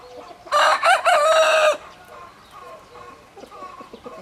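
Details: A rooster crows in short choppy bursts, a rough broken cock-a-doodle lasting just over a second, then quieter background chatter from other chickens.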